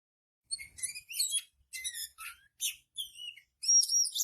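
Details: Oriental magpie-robin singing nonstop in full voice, used as a training recording for other birds: short bursts of varied high whistles, slurs and sharp chips, separated by brief pauses, in a quiet setting.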